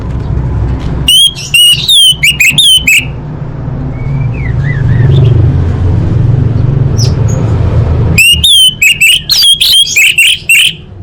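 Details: Orange-headed thrush singing as a lure for caged birds: two spells of loud, rapid, varied whistled phrases with sharp clicks, split by several seconds of low rumbling noise.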